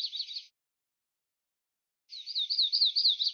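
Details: Song of a golden-winged warbler: a brief end of one phrase, about one and a half seconds of silence, then a series of quick, repeated, looping high notes, clean and free of other sounds.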